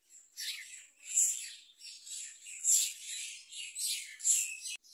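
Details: Myna chick being fed a large blue caterpillar by its parent: harsh, raspy bursts of calling that swell and fade about every second and a half, with no other clear sounds.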